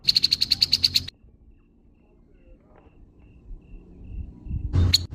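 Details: Grey-headed babbler harsh call: a fast burst of about nine grating, scratchy notes in the first second, then a long near-silent pause and one final rasp.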